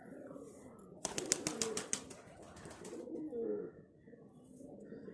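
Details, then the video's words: Pigeons give low, rolling coos that swell and fade, with a second of sharp clattering, like flapping wings, partway through. "pigeons sound effect"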